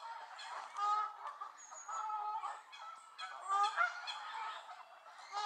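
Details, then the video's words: An angry gaggle of Canada geese at Elvaston Castle on 3-10-15, honking loudly: harsh, nasal two-part honks overlap in a busy chorus, swelling in several loud bursts. "Angry Canada Geese"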